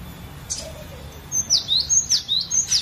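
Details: Collection glatik batu (cinereous tit), a variation song meant to set other birds singing: after a brief quiet start, a rapid run of high falling whistles alternating with lower rising slurs.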